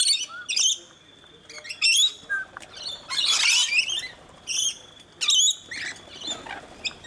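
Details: Flock of rainbow lorikeets being fed in Brisbane, Australia, alongside one scaly-breasted lorikeet; sharp metallic chirps and short screeches in separate bursts, with one louder rasping squawk midway.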